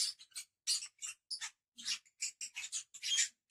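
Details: Lovebirds giving a run of harsh, high, scratchy chirps in short bursts, some clipped and some drawn out, with brief silent gaps between them.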